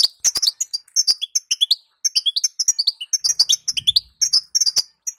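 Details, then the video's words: Female European goldfinch calling to stimulate males into song: continuous bright, high twittering in tight chirping bursts, about one burst per second, with occasional sharp clicks and a faint low rumble midway. "أروع ستسته حسون تخلي يغرد بقوى"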